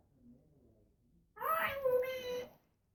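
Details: Female pet African grey parrot making a drawn-out, tonal, mewing vocalization that starts high and settles lower. It lasts about a second after a quiet start.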